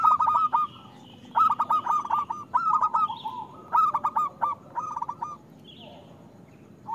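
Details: Loud local zebra dove, or perkutut, singing as a lure for doves that seldom sing: five lively phrases of rapid, pulsing coos in close succession, each about half a second, then a quieter stretch with a faint extra note.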